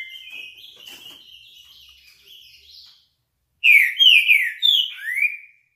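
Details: Green-winged saltator singing its classic song: after about three seconds of faint, thin high whistles, a loud phrase bursts in of five rich slurred whistles, mostly falling, ending on a rising note.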